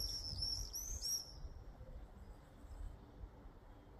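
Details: Common swifts (Apus apus) in a garden give shrill, buzzy screams for just over a second, then fade out, leaving a low rumble of wind or distant traffic.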